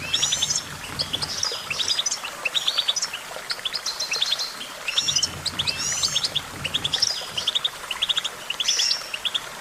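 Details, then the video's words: Goldfinch song: bright, rapid twittering of short high chirps in quick clusters, with several birds singing and overlapping throughout and a faint low rumble in the background. "Vocal virtuoso: activating enhancing your goldfinch songbird prowess"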